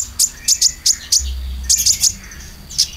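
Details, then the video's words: Konin lure song for caged birds: very high, sharp chip notes in irregular single and double bursts over a faint low hum. "PANCINGAN KONIN ISIAN"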